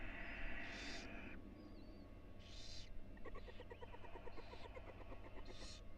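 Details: In a nest box at the University of Florida, a female barn owl moves beside four tiny nestlings. Hissing bursts alternate with a rapid run of soft ticking pulses over a low hum.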